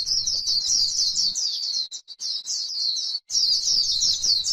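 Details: White-eye singing líu-style on grassland: rapid, high, squeaky twitters run together, broken by two short pauses near the middle. Slight low background hum.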